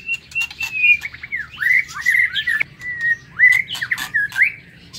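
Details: Morning song of a white-rumped shama kept in an aviary: rich whistled phrases sliding up and down, mixing warbles and rapid twitters in bursts about a second apart, with occasional clicks in the background.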